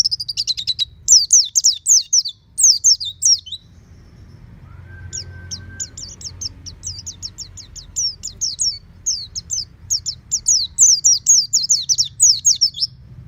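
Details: Caged oriental white-eye at home giving ngeplong song: runs of rapid, high descending whistled notes, then a few seconds' pause with a short steady tone, then a long even series of thin chipping notes resuming.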